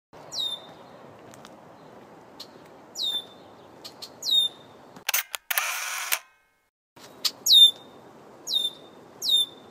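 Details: A red-winged blackbird near its nesting site in mating season, attacking a passerby, gives thin, high, sharply down-slurred notes repeated every couple of seconds; a camera shutter clicks and whirs midway.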